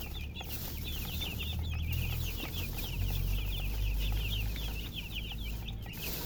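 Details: Chickens chirping alongside a hen: rapid, high, squeaky peeps overlapping in a busy chorus, about three to four per second, with a steady low hum underneath.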